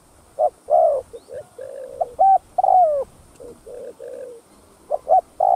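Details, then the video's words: Spotted dove giving a full 'thúc gù' cooing sequence, used to stir up other doves; low, hollow coo notes come in uneven bursts, some doubled or slightly rising, separated by short pauses, over a faint steady background hiss. "Tiếng Cu Gáy Giọng Hấp Dẫn[ ĐỦ BÀI THÚC GÙ ĐỈNH CAO 02] Kích Bổi Nhanh Nổi"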